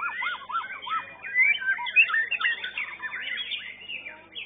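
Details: White-rumped shama song at a bird-singing competition, a young bird in a young-bird class that placed fourth: a rich, fast run of varied whistles, rising and falling slurs and chattering phrases, with other birds singing over it.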